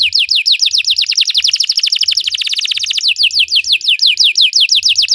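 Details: Belgian canary song used as training for other canaries: repeated falling whistled notes that accelerate into a rapid trill, then slow back to spaced sweeps.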